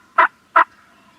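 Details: Two loud, rough, evenly paired bursts from gobbling farm turkeys, recorded with a Canon G7X camera, with a faint hum between them.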